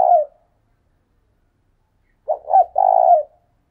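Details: Decoy spotted dove calling. The tail of one coo is followed by quiet, then a complete phrase of two clipped notes and a prolonged, vibrating low coo.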